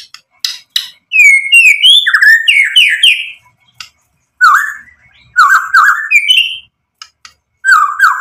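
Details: Medan-type white-rumped shama singing rich filler material to rouse rival males: bursts of sweet ascending and descending whistles separated by short silences, with sharp clicking notes between phrases.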